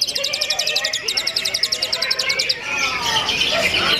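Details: Greater green leafbird song in a simulated song contest with many cages: rapid, high repeated chirps about ten per second, then a mixed warbling jumble, as if several caged birds sing together.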